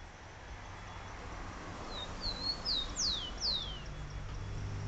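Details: Wild bird singing to attract the female, a brief phrase of high whistled notes heard after a quiet start, ending in loud downward-sweeping slurs, with steady low rumbling noise throughout.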